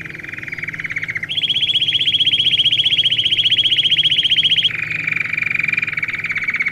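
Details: Domestic canary singing for fledglings being trained: a mid-pitched rolling trill, then a louder, higher pulsed trill held for about three and a half seconds, then back down to a softer lower trill; faint hum beneath.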